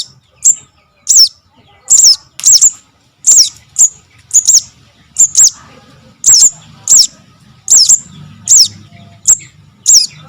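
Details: Begging-type call of a sogok ontong cuckoo chick, used to lure birds for trapping: a long run of shrill, downslurred chirps, often doubled, spaced under a second apart, with a faint hum.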